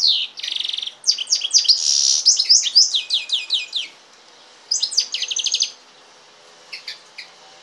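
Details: Goldfinch x canary hybrid song: a buzzy trill, then a flurry of sharp, descending twittered notes, a brief pause, a second fast trill, and a few scattered chirps after.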